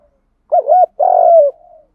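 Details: Spotted dove giving a 'gù đấu' challenge coo, recorded from cock and hen birds, used to stimulate newly caught doves: a low double-hooted note followed by a longer, drawn-out falling coo with a soft trailing tail.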